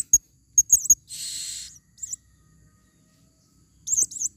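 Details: Female blue-crowned hanging parrot calling in forest, a recording used as a lure: sharp, very high squeaks and wavering twitters in short groups, with a brief hissing rush of noise and a long quiet gap.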